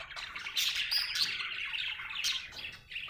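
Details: Budgerigar described as happy, chirping: dense bright warbled chatter with sharp high squeaks and clicks, continuous and busy, no other sounds.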